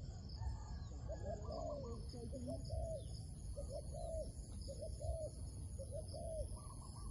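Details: Wild dove near a trap, giving low, mellow coos in two- and three-note phrases repeated roughly every second, with a continuous high-pitched insect whine and low background rumble.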